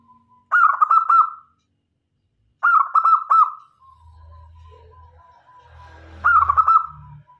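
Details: Zebra dove of a local strain, used as a lure bird to attract other doves, repeats short bursts of quick, bubbling coos three times a couple of seconds apart, with a low hum underneath later on.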